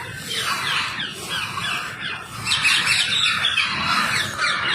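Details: Rose-ringed parakeets, wild birds, being fed, their shrill squawks and chattering screeches overlapping densely and growing louder toward the middle.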